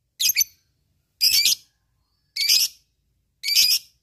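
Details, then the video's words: Lovebird used to provoke rival and fighter birds: four rasping, high squawky chirps, each doubled or buzzy, repeated about once a second in an otherwise quiet setting. "SUARA LOVEBIRD NGEKEK MEMANCING LAWAN"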